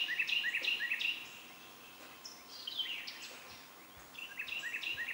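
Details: Northern cardinal nestlings give high, rapid chittering begging calls in excited bursts as the mother feeds them a large green caterpillar, then fall quiet before flaring up again, over a faint steady hiss.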